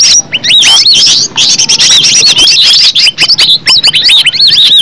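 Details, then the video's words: Green leafbird recorded in nature as a song lure. Clear, high arching whistles mixed with fast chips, flowing in a lively, varied sequence with a brief opening pause. "Cucak ijo suara alam suara asli,pancingan cucak ijo bakalan LANGSUNG BUNYI,NYAUT dan GACOR"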